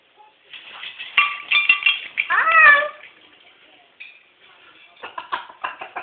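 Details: A spirited five-year-old Moluccan cockatoo kept as a pet laughs in a room: rapid bursts of raspy, voiced ha-ha notes leading into a falling wail, a pause, then more quick choppy laughing syllables.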